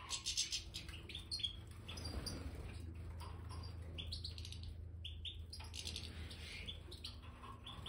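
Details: Major goldfinches kept in an aviary with new bird sand: scattered high twittering chirps over a steady low rumble, with wing flutters and a busier burst of calls near the end.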